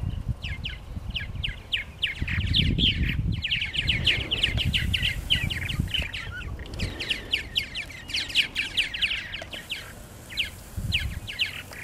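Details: Purple martins at their nesting gourds at Lake Mackintosh, Gibsonville, North Carolina, giving dense rapid chirps and gurgling chatter, many overlapping calls in quick runs, with low wind rumble and rustling beneath.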